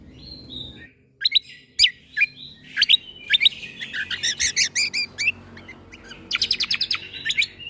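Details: Cucak kombo tutor recording with 'tembakan' character for young white-rumped shamas. Varied whistled and cracking notes build into long runs of rapid, machine-gun-like staccato clicks.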